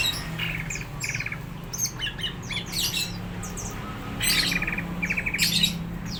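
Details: Greater green leafbird singing vigorously, said to be ready to fight, with bursts of buzzy chattering phrases broken by brief pauses and mixed high, squeaky notes.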